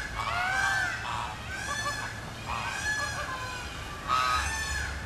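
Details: Captive flamingos at Philadelphia Zoo, a flock circling together and flapping their wings in a group display, giving repeated nasal honking calls with harmonic, goose-like tones, several birds overlapping in bursts about a second apart, low rumble of background noise.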